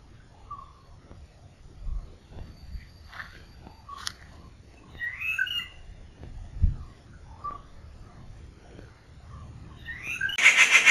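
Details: Rufous treepie giving scattered short calls, some clear, some harsher, spread over eleven seconds against a quiet background, ending in a loud burst of broadband noise.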